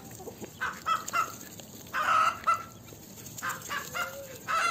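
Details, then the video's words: Hen clucking in a farmyard: short, clipped nasal clucks in small clusters, separated by quieter stretches, with a low hiss of background noise throughout. "GALINHA CANTANDO NO TERREIRO DA FAZENDA. Som da Galinha. Galinha cacarejando."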